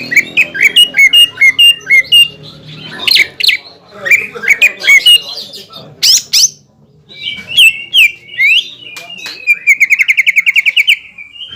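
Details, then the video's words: Greater green leafbird song used to provoke a rival bird, with clipped whistled notes repeated in quick series, sharp rising sweeps, and a fast rattling trill near the end. "PANCINGAN CUCAK IJO GACOR BIKIN HYPER CUCAK IJO LAWAN LANGSUNG JAMTROK DAN PANAS"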